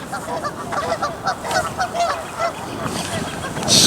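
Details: Geese squabbling at a pond at Sspopiikimi on a Friday morning, after the mating season, including a pair that had tried to claim the flotilla; overlapping nasal honks and squawks, with steady background noise and a hiss at the end.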